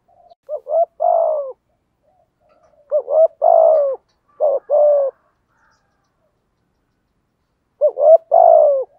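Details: Decoy spotted dove in the Vietnamese 'thổ' singing style, cooing tirelessly to provoke wild doves; rich low hoots in grouped phrases, some paired, with a long vibrating coo closing each group, repeated roughly every three to four seconds.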